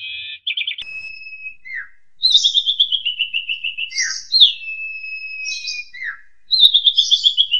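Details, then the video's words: Asian pied starling master song for young birds: trilled whistles, long level whistled notes, and rapid descending rattling series of about ten notes, clean and loud. "JALAK SUREN KUALITAS TERJAMIN!!! PANCINGLAH JUNIOR ANDA PAKAI MASTERAN INI"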